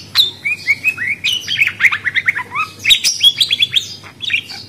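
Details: Budgerigar warble: a fast run of slurred chirps and twittering notes, roughly three per second, shifting up and down in pitch without pause.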